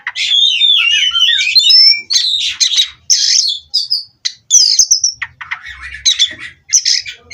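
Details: Captive Oriental magpie-robin raised at a breeder, singing to settle on its perch: loud run of whistled slurs, harsh chatters and clipped notes, broken by short pauses, all high-pitched.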